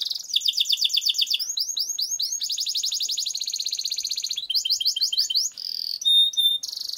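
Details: Canary producing a long roll as a lure for training: continuous song of fast trills, repeated upswept and downslurred whistles, buzzy rolls and brief pure high notes, shifting pattern every second or so.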